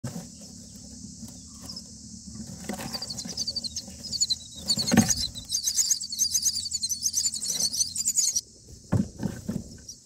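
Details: Common myna chicks in their nest on day nine, begging while a parent arrives with a grasshopper; harsh, high rasping squeals in dense bursts, with soft low thumps and a steady high hiss behind.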